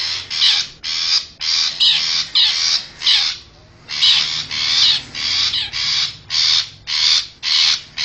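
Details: Wild long-tailed shrike from forest, lure call to attract wild birds: about a dozen loud rasping screeches in regular succession, a short pause after the first six, then the harsh series resumes.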